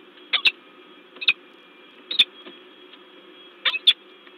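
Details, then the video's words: A peregrine falcon at the LOTOS site in Gdańsk, Poland, on 10 February 2023 gives short harsh doubled notes, about one pair every second, against a constant background hum. "Sokół wędrowny LOTOS Gdańsk(PL) - rozkrzyczany Ster"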